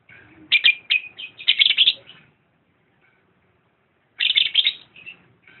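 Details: Lovebird giving shrill, scratchy chirps in a tumbling run lasting under two seconds, then silence before a second shorter burst of harsh high notes.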